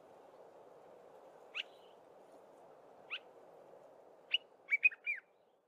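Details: Early-morning song of a Dark-capped bulbul: two separate clear upslurred whistles, then a brisk burst of several bubbling notes, against a soft hum.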